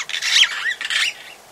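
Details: Long-tailed glossy starling calling at Oyster Creek on the Coast Road in The Gambia, recorded fairly close: harsh, squawky bursts with a brief rising whistle, two grating phrases in quick succession.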